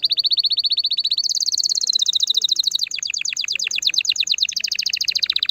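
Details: Canary song to stimulate a female: a long continuous sequence of rapid rolling trills, each tour changing speed and pitch, bright and high throughout without pause.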